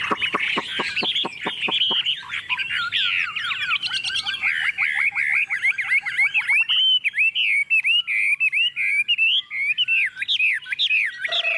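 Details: Tame Chinese hwamei singing boldly on a table: a burst of rapid clicking notes, then a lively series of repeated looping whistles and warbled phrases.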